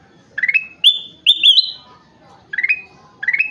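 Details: Kutilang emas, a golden bulbul, in lively song: rising whistles give way to bright, sustained level notes, followed by two short rising phrases in a quiet background.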